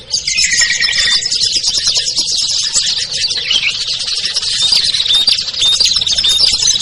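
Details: Ciblek, kutilang, trucuk, sogon, perenjak and other small birds chattering together in a lure recording for drawing birds down; a dense, shrill twitter throughout, with bright whistled notes rising toward the end.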